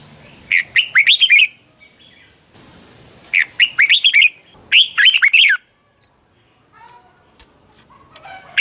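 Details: Red-whiskered bulbul contest singing, a lure song for training birds to sing in the morning. Three quick phrases of five or six bright, slurred whistles come about every two seconds, then quiet with faint distant chirps.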